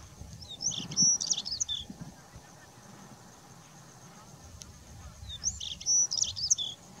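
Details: Male White-tailed Stonechat singing while fanning its tail in the wind: two short, high, scratchy twittering phrases about five seconds apart, over steady low wind rumble.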